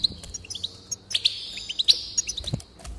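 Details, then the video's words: Goldfinch singing, played to encourage another bird to sing: a fast stream of bright chirps and liquid twitters, with a sustained buzzy strand running through the middle, high-pitched and lively throughout. "increase the enthusiasm of the goldfinch and encourage it to song"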